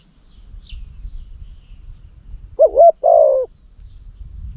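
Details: On a hot day in Cambodia, a loud decoy spotted dove kept for luring wild doves gives a single two-part coo after a quiet stretch. One faint high chirp is heard earlier.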